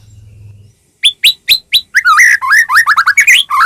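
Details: White-rumped shama (murai batu), Medan type, singing vigorously as a lure to provoke other shamas to sing. After a low hum, four loud upslurred whistles are followed by a rapid run of varied warbled, twisting notes.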